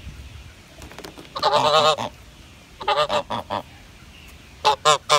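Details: Grey goose honks arrive in spaced groups: a drawn-out harsh call, then a cluster of short nasal honks, a long quiet stretch, and two final sharp honks.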